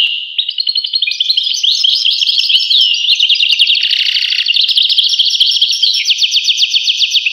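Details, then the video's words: European goldfinch delivering a long, fast twittering song with tinkling trills, buzzy elements and repeated sharp notes, loud and uninterrupted. "voice carduelis- Tweets the birds. Tones a bird Goldfinch. voice goldfinch-"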